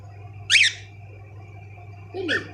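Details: Several pet cockatiels kept indoors, one reacting to its reflection; two sharp, harsh chirping calls about two seconds apart over a steady low hum.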